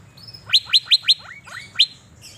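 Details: In Banjarmasin, a caged Asian fairy-bluebird sings while set in the sun: four quick piercing upslurred whistles, two softer lower slurs, then one more sharp rising note.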